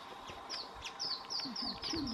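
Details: Chestnut-bellied flowerpiercer at Cerro Montezuma, Tatamá National Natural Park, Colombia, giving thin, high, down-slurred notes about every half second, with low murmuring voices or soft clucks underneath.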